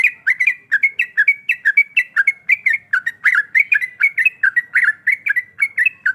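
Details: Female sooty-headed bulbul in breeding condition calling a male, delivering a continuous lively string of bubbly, slightly descending whistled notes, several per second, without pause, on a quiet background.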